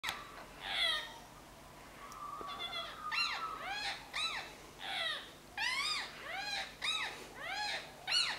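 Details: A tame Indian ringneck meets two wild green rose-ringed parakeets: loud, harsh, screechy notes that rise and fall, repeated about twice a second, with more than one bird joining in.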